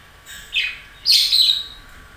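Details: Pet budgerigar calling indoors: two short harsh chirps, the second longer, scratchy and squawk-like, with a quiet background.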